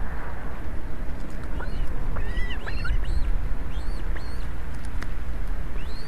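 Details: Ospreys at an Estonian nest on a live camera, 11 July 2017 around 16:27, as a huge fish is delivered to rain-soaked young. A run of clear, arched, whistled chirps repeats about every half second over a steady low rumble.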